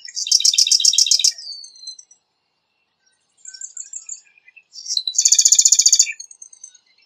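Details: A singing marsh wren gives a dense, chattering trill, then a softer, short, twittering phrase, then another loud, rapid, buzzing rattle of repeated notes.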